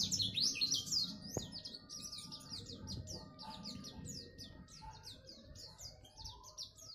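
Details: Neighbourhood-champion oriental white-eye pouring out a lively run of high, swooping chirps and twitters, roughly three per second, with a sharp click near the start and faint low background noise.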